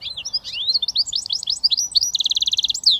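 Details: Goldfinch mule, a hybrid British finch, pouring out fast high twittering and sweeping notes that end in a rapid even trill of repeated notes.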